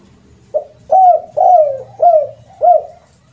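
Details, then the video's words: Spotted dove coo used for luring, with the rare 'kuk' ending: a clear phrase of five soft, hollow notes, a short opener then long gently falling coos, ending on a clipped final note, recorded close and clean. "SUARA PIKAT BURUNG TEKUKUR KUK 2 DAN KUK 3 //SUARA TEKUKUR KUK 3"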